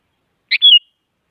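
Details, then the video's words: One short phrase from a female sooty-headed bulbul calling a male: a buzzy two-part burst followed by a clear whistle that dips slightly, under half a second long, with nothing else heard. "Suara Burung Kutilang Penyemangat Kutilang Malas Agar Bunyi Jadikan Kutilang Diam Gacor Emosi"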